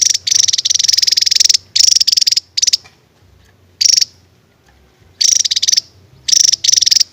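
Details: Javan tesia (Tesia superciliaris) singing in short, very high bursts of rapid, buzzy ticking notes, each lasting about half a second to a second, separated by brief pauses.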